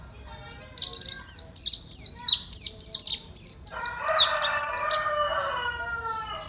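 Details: Oriental white-eye singing fighter style, used to provoke response from other white-eyes: about eleven high, quickly falling chirps in rapid succession, joined near the end by a lower rasping, crowing-like sound.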